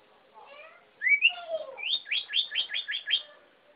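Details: Sirpu bird singing a lively, excited song: a rising whistled note, then a fast run of six or seven repeated sharp upward-sweeping whistles, over faint softer twittering.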